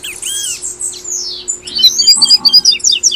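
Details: Double-collared seedeater in Brazil, tui-tui song used to coax caged birds to sing: long descending high slur, then a rising sweep leading into a rapid stutter of bright clipped notes.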